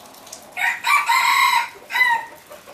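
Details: Crow of a captive yellow hybrid red junglefowl: a short rasping first note, a sustained harsh central phrase, and a quick falling end note after a brief pause, in a quiet setting.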